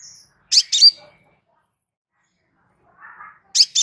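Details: Crimson sunbird, calm voice meant for tutoring captive birds: one sharp high double chip, a long silence, a soft mid-pitched twitter, then another double chip.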